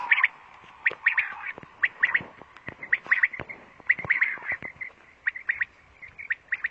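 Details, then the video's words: Repeated short, clipped notes from a female quail, grouped in uneven runs of two to four and roughly a second apart, over faint background hiss. "Female Quail Sound// مادی بٹیر کی آواز"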